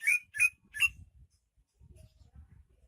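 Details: Native Banyuwangi greater green leafbird in full voice: three sharp, ringing chirps in quick succession, then faint low background thumps and near silence.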